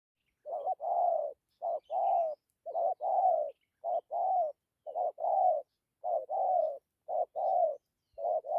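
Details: Spotted dove kept as a decoy bird, giving its gù coo with dặm phrasing: paired low hooting notes, a short note then a longer one, repeated about once a second in a steady rhythm, with no other sounds.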